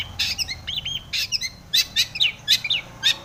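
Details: Long-tailed shrike in lively full song packed with tomiceng fill-in phrases, used to provoke other shrikes into singing; a rapid jumble of sharp, high chirps and short slurred notes in uneven bursts about twice a second.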